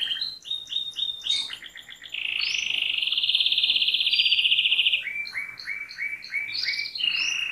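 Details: Canary song made of bright repeated whistled notes, then a long, dense, rapid trill, followed by a series of quick downward-slurred notes repeated in rhythm.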